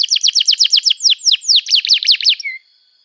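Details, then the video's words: Canary song meant to prompt young canaries to sing: a rapid run of about twenty falling, slurred chirps at about eight a second, varying slightly in pitch, ending with a short low whistle. "Kenari Gacor Panjang Cuit Cuit Emosi, Pancingan Kenari Paud Belajar Bunyi, terapi ampuh kenari macet"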